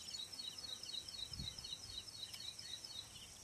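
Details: Ashy prinia singing at Manas National Park: a quick series of thin, high, paired notes repeated about four times a second, over a steady background hiss.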